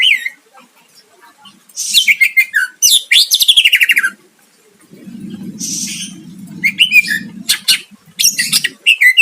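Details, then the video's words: Greater green leafbird pouring out vigorous song aimed at provoking a rival: trilled buzzy runs and high chattering notes, with a low continuous hum underneath during the second half. "Cucak ijo gacor mancing lawan dijamin Nyahut"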